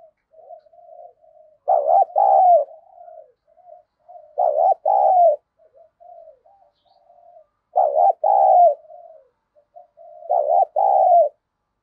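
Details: Decoy spotted dove cooing to challenge rivals; soft continuous murmuring notes run between four loud double coos spaced about three seconds apart.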